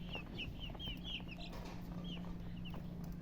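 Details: Domestic chicken chicks chirping: a few separate high, thin peeps sliding downward, spaced irregularly over three seconds, with soft clucking-like thumps and a constant low electrical hum in the background.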